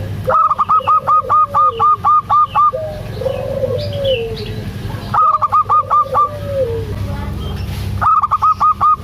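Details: Local zebra dove, a female calling a male: a long, fast run of about ten loud, clipped notes, then shorter bursts of five and four, separated by soft low coos.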